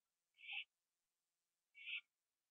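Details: Owl feeding on a gopher on a porch late on 21 September 2011 at 11:15 PM. A pair of hoarse, hissing screeches roughly one and a half seconds apart over a quiet background.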